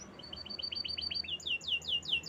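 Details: Canary song: a quick run of short high notes repeated in an even trill, then a louder series of sweeping downslurred whistles, over a soft steady background hiss.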